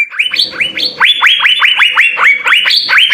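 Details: Asian fairy-bluebird singing vigorously in full 'isian' style: a rapid string of loud whistled notes, each sweeping sharply upward and then levelling off, repeated about twice a second, over faint low background rumble.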